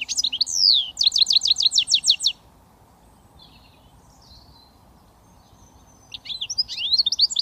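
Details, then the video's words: Goldfinch mule, a hybrid British finch, singing: a burst of fast, high, repeated trilled notes for about two seconds, a pause with faint thin notes, then the trilling resumes near the end; steady low hum underneath. "Goldfinch mule switty 100% British finch"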